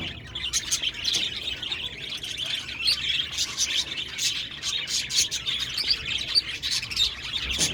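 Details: A flock of budgerigars chirps on 1 November 2023, a steady dense chatter of high twittering notes and clicks running evenly throughout.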